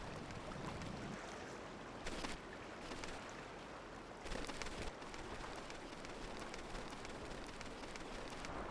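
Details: Rushing wind and microphone buffeting with bursts of louder noise, and no animal calls.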